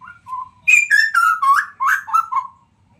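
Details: Straw-headed bulbul of Sumatran stock, singing in the afternoon: a soft low whistle opens, then a burst of bubbling, fluty notes that slide up and down in quick succession, roughly four per second, before fading out.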